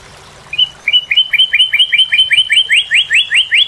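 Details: Northern cardinal delivering a fast, evenly paced run of short rising whistled notes, steadily growing louder over about three seconds.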